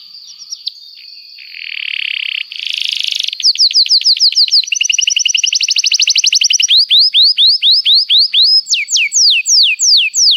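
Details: Canary singing long, as a lure for young canaries learning sounds: a few thin whistles, buzzy rasps, then fast ringing trills and a closing series of loud, swooping down-slurred whistles spaced evenly.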